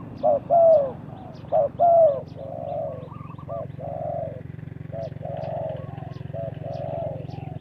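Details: Spotted dove cooing as a lure during bird trapping. Two loud two-part coos open, then fainter doves answer with repeated soft coos. A steady low hum runs throughout.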